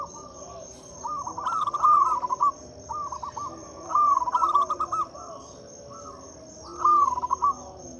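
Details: Lure song of a local zebra dove for doves that will not sing: stuttering, throaty coo phrases repeated every second or two, with a continuous thin high-pitched whine.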